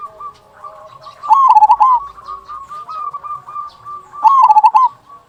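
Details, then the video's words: Local zebra dove with a large "kung" call, meant to make other zebra doves sing: two loud rippling coo phrases separated by a run of softer, continuous rolling coos. "Perkutut Lokal Gacor Suara Kung Besar Pancingan Burung Perkutut Agar Bunyi"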